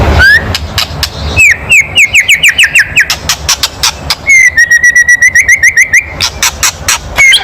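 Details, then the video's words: Loud provoking kretekan from a white-rumped shama: a rising whistle, a rapid string of downslurred whistled notes, then a long fast rattle of clipped notes on one pitch, all sharp and chattering. "SUARA KRETEKAN MURAI BATU KERAS MEMANCING EMOSI"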